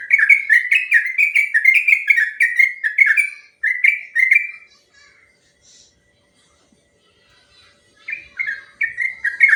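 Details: Sooty-headed bulbul, known locally as trucuk, singing ropel song for training other birds: a four-second rush of fast slurred whistles, a quiet gap of about three seconds, then the whistled run resumes.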